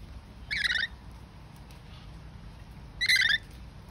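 A rainbow lorikeet gives two harsh, rasping screeches about two and a half seconds apart over a quiet, low background hum.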